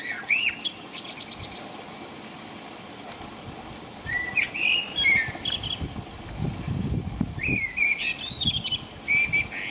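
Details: Blackbird singing at night in the rain in England: two mellow, fluty warbled phrases, each closed by thin high squeaky notes, with a steady patter of rain throughout.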